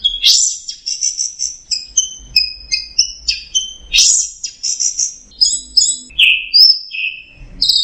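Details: High, glittering teler song of the orange-headed thrush (anis merah): dense strings of short whistles and trills, some doubled, interspersed with a few lower sliding notes, over a faint low hum.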